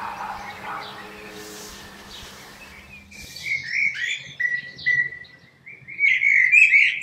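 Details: Common blackbird singing: after a muffled, noisy start, a series of mellow warbled phrases followed by scratchy, chattering twitter at the end of each phrase.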